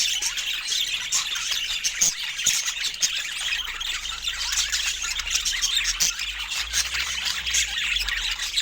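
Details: At fruit time, pet budgerigars chatter without pause: thin chirrups and grating squawks overlap densely, with a faint low rumble underneath.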